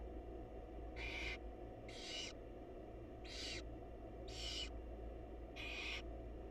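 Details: Mother barn owl feeding chicks in a monitored wild nest box; five harsh, wheezy screeching hisses, roughly one every second, over a steady low-pitched hum.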